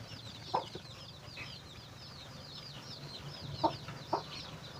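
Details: Chicken calling while finding food for its chicks, giving sharp low clucks, a single one and then a close pair near the end, while the chicks keep up continuous high descending peeping throughout.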